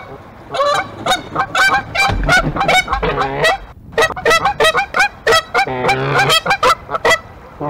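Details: Two Canada geese, on the morning of 9 March 2022, nest-testing in an eagle's nest, honk loudly and repeatedly, three or four ringing, nasal honks a second, broken by lower, drawn-out raspy calls.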